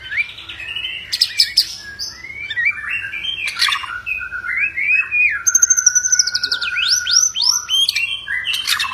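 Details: White-rumped shama in an agitated, aggressive song meant to provoke other shamas into singing and fighting: rich varied phrases of slurred whistles, rapid trills and sweeping upward notes, loud and continuous with bright high accents.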